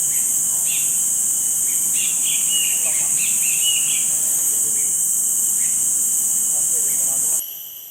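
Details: Cinereous bulbul, also called ashy bulbul, calling repeatedly in Singapore, where it is a rare non-breeding visitor, with its partner heard intermittently. A quick cluster of bright, slurred notes is followed by sparser chirps under constant shrill insect noise, then ends abruptly.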